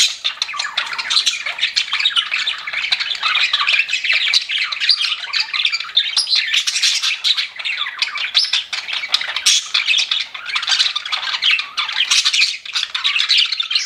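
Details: Several pet budgies chirping nonstop in a thick, unbroken chorus of warbles, squawks and chirps.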